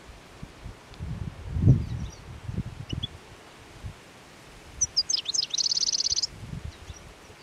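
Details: Goldfinches feeding on plane tree seeds at the Anapodaris river near Garipa on 17 January 2021, in winter: soft rustling and low thumps, then a brief high twitter and a buzzy trill.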